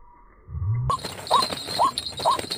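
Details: White-breasted waterhen call played to lure the birds for trapping around a residential area, with the caught birds later released to the wild; short hooked notes repeat roughly every half second after a brief low rumble, over steady background hiss.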